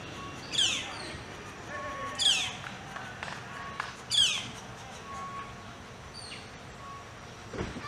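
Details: Squabbling Northern flicker nestlings, one chick picking on a sibling that got most of the food, give harsh, raspy descending squawks, three strong bursts in quick succession, with softer chirps and faint background noise between.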